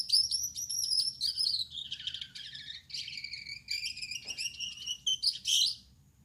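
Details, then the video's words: A male Gouldian finch, red-headed with a yellow back and white breast, sings at night: densely packed high, buzzy, chattering phrases that sweep up and down, fading at the end. "Suara Burung Gould Amadin Gacor || Gouldian Finch Singing Gacor"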